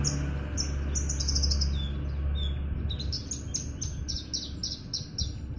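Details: Caged Javan bush lark sunbathing and ready to sing gives rapid series of high, thin chirps, about four a second, over a constant low background drone.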